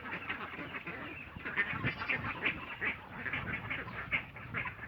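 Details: Ducks in Assam calling together, rapid overlapping quacks in an unbroken stream, rising and falling in loudness, over low background rumble.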